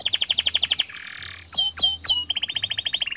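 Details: Canary in full gacor song, meant to prompt other canaries into singing: fast pulsed trill, a short buzzy harsh patch, three loud sweeping whistles, then the quick even trill returns.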